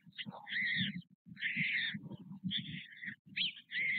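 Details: White stork chicks at their nest in Nové Mlýny, Czech Republic, on 6 May 2024, fed by parents about every half hour; hoarse, hissing bursts come in quick runs, broken by short pauses, over a steady low rumble.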